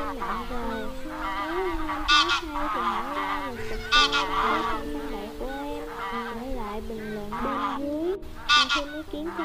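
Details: Wild geese honking to gather the flock, a lure recording for net trapping: continuous overlapping nasal calls, punctuated by loud strident honks roughly every two seconds.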